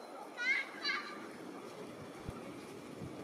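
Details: Greylag goose giving two short, nasal, harmonic honks about half a second apart, then steady background hiss, recorded 2 April 2023 at the Myślęcinek Botanical Garden, Bydgoszcz, Poland.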